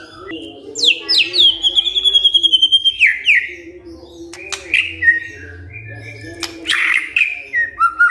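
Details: White-rumped shama provoked by a lure recording, delivering a rapid trill of repeated high notes, then sharp clicks and looser whistled phrases, with a steady hum in the background.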